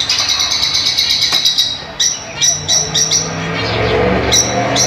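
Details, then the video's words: Fischer's lovebirds singing to encourage mating, with continuous fast shrill chirping over a steady low rumble resembling passing traffic, and occasional louder sharp chirps. "تغريد وتحفيز لتزاوج عصافير الفيشر"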